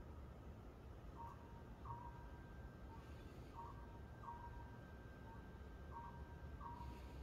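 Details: Oriental scops owl heard in front of a house on an April evening, giving short, mellow hoots in paired phrases about every two seconds over a steady low rumble of distant traffic.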